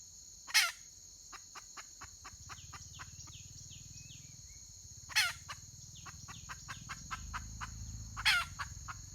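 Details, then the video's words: Wild red junglefowl hen recorded 31 May 2023: three rough, loud squawks spaced roughly four seconds apart, with scattered soft clucks between them, under a persistent high insect drone and low rumbling hum. "Suab poj qaib qus tsauj"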